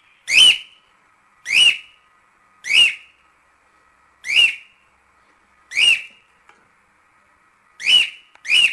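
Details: Household pet cockatiel calling loudly, a clear rising-then-falling whistled note repeated seven times at roughly one-second intervals, with silence between calls.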